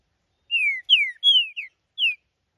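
A green-winged saltator sings a short phrase of five clear, descending whistled notes over about a second and a half, loud and clean with no other sounds.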